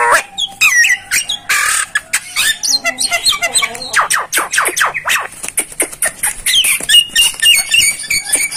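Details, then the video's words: Starling song in the popular masteran style: a long mix of clicks, chips and thin whistled sweeps, with quick dry ticks speeding into a dense rattling chatter and high squeaky notes. "masteran jalak paling di cari saat ini"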